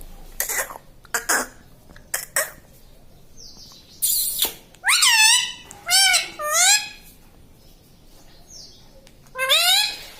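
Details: Talking pet parrot that imitates words like "mummy" and "mitthu": sharp clicks and taps at first, then a series of swooping, nasal voice-like syllables, with one more after a short pause.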